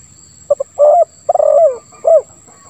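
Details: Tekukur, the spotted dove, singing a 'lambung kuk 1 suara ngeruk' phrase for luring silent doves. A brief double note, a low coo, a long rough rolling note, and a final downslurred coo. Faint background noise.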